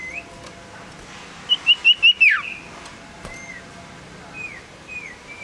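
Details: Tame male common iora, a small yellow bird, delivering a short run of four clear, evenly spaced whistles followed by a falling slur, then a few faint whistled notes against a quiet background.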